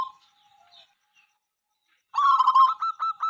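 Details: Zebra dove of a local strain, a noisy all-day singer said to make rival birds sing back. A faint tail of coo at the start, a long silence, then a burst of fast stuttering notes flowing into a rolling low coo.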